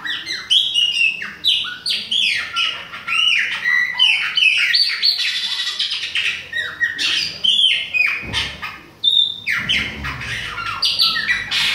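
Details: Chopi blackbird from Bahia in autumn, delivering a long, rich, continuous song of rapid whistled slurs, chirps and sweeping notes, densely varied, with a few short clicks in the middle.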